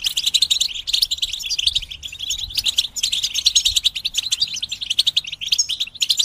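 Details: European goldfinch group song (batbata), played to help goldfinches start singing and finish moulting. A thick, unbroken wall of bright, rapid twittering and liquid trills from many birds fills the whole stretch.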